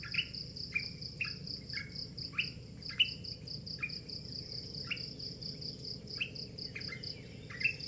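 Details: Bird heard in the early morning, giving a long run of about thirteen upswept chirps, roughly one every half second, each ending in a short level tail; crickets trill steadily behind.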